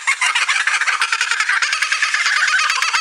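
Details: Kookaburra, an Australian bird, giving its loud, harsh cackling laugh: rapid, rough, chattering notes pouring out continuously for about three seconds, likened to a long human laugh.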